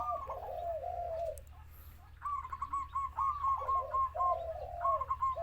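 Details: Wild-caught spotted dove with a large voice calling: low, mellow cooing phrases, a rising coo followed by rolling notes, repeated in two runs, with a faint low hum behind.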